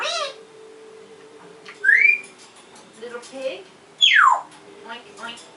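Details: African grey parrot giving loud whistles: a short rising whistle, then a long sliding whistle that falls steeply, with softer chatter and voice-like sounds between them.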